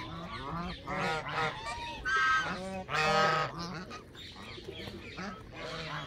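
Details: Canada geese giving a chorus of nasal, overlapping honks, several birds calling at once in uneven bursts with loud peaks around the middle.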